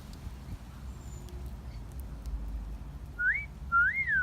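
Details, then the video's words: Pet parrot in a garden giving a wolf whistle near the end: a short upward-sweeping whistle, then a longer whistle that rises and falls away, over a low background rumble. "Parrot Wolf Whistling"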